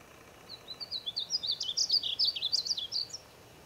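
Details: A painted bunting (Passerina ciris) in the Wichita Mountains, Oklahoma, sings a rapid, high, sweet warble of slurred notes, rising and falling over about two and a half seconds, with faint background hiss.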